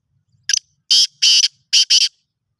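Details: Black francolin, a bird offered for sale, giving a harsh, grating call of five short buzzy bursts over about two seconds, the later notes paired and longer, with no other sounds around it.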